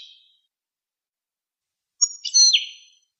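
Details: Goldfinch song: a faint tail of a note, then after a pause a single high twittering phrase that starts with a thin whistle and slurs downward into a buzzy chatter.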